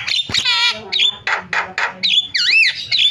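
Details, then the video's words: Starling lure recording used to prompt quiet starlings into calling. Harsh harmonic squawks alternate with short bursts and a wavering, bending whistle. Each note is separated by brief gaps. "MASTERAN JALAK SUARANYA BIKIN JALAK PADA TERIAK"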